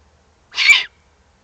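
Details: Juvenile Eurasian eagle-owl in the Eifel, recorded 1 August 2020, giving a single harsh, hissing begging call lasting under half a second, broad and noisy, in otherwise quiet surroundings.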